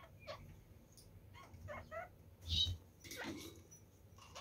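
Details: Red-fronted parakeets feeding on carrots make brief nasal chattering notes in short runs, broken by clicks and scraping sounds.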